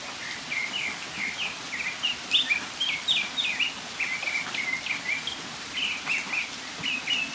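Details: Northern mockingbird singing in the rain, a fast, continuous run of varied chirped and whistled phrases, each repeated briefly before changing, over a constant hiss of rainfall.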